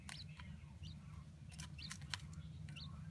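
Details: Two adult male Chinese blue-breasted (king) quail in a sandbox give soft, high, rising peeps, four or five in three seconds at an uneven pace, with happy sounds, over scratching in sand and a background TV hum.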